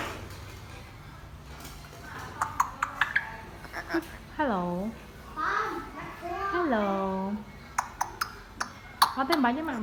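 A grey parrot speaks in a high, childlike voice, with several drawn-out, wavering phrases such as "hello". A woman talks quietly and sharp clicks sound in the background.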